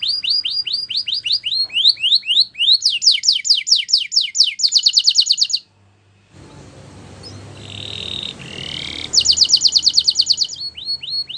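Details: Belgian canary singing for training: rising whistled phrases repeated several times a second, then rapid rattling trills, a short break with soft background hiss, then the fast trill returns and ends in upswept notes.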